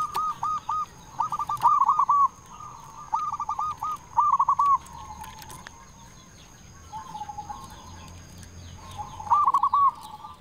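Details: Zebra dove of local stock singing as a lure to stir silent doves: scattered short runs of hooked cooing notes, softer and broken by gaps, with a steady high-pitched whine and low rumble in the background.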